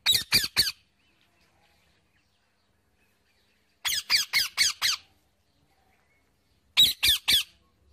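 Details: Wild parrot feeding on seeds, giving harsh, high squawks in tight bursts of three to five, separated by long silent gaps of about three seconds.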